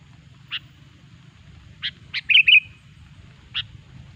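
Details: Sooty-headed bulbul song played to lure bulbuls for trapping: spaced crisp chip notes around a quick, liquid, bubbly phrase, with a faint low rumble behind.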